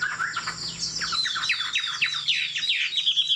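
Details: Tame Chinese hwamei, fig-leaf tail, singing from a high perch; a rapid, busy stream of high downslurred whistles over a faint low hum.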